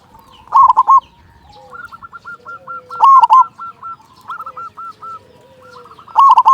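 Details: Local zebra dove singing actively in a big voice, used as a lure so other zebra doves sing quickly: loud rolling cooing phrases roughly every two and a half seconds, with runs of soft clipped coos between them.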